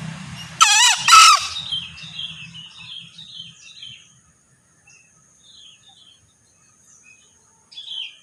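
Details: Crow of a male green junglefowl: two quick harsh bursts near the start with stacked wavering tones, followed by soft chirps from small birds and a low rumble fading into quiet, with another faint call at the end.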